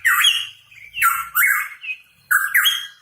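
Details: Hooded pitohui, known locally as cucak rawa papua, singing loudly: harsh rich phrases sliding around mid pitch with bright upper overtones, four bursts in three seconds separated by short pauses.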